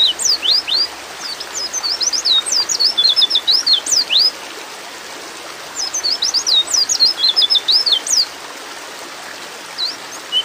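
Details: Female white-eye (pleci) in breeding mood calling to a male: two long bursts of rapid, high, thin chirps and slurred whistles, each sweeping up or down, with a quiet pause between bursts and faint background hiss.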